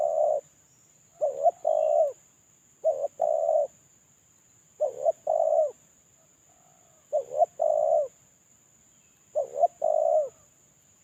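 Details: Lure-call recording of a moulting spotted dove: phrases of two or three quick hoarse coos ending in a drawn-out hollow note, repeated about every two seconds, with a faint thin whine throughout.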